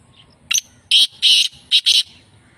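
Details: Black francolin, locally called kala teetar, near Sukkur, Pakistan: one short sharp note, then two longer harsh, grating notes, a brief pause, and a final pair of rasping notes in quick succession, over a faint low hum.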